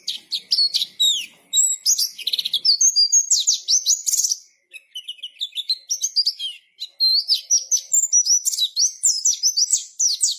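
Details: Pleci (white-eye) in energetic gacor song, a long, rapid stream of high, sharp chirps and rising and falling whistled notes, broken by two brief pauses and then resumed at the same busy pace.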